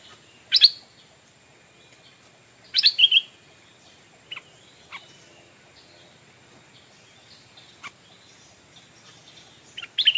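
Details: Decoy Stripe-throated Bulbul calling in wild birds: scattered sharp chirps and a short burst of three quick buzzy notes, with long quiet gaps and one more chirp at the end.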